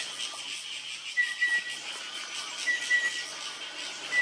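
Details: Chestnut-winged cuckoo giving thin, pure whistles in pairs, repeated every second or so, over a steady hiss of insects, in dense canopy at Phulchowki, Godavari, Nepal, April 2022; the bird later came down to lower branches.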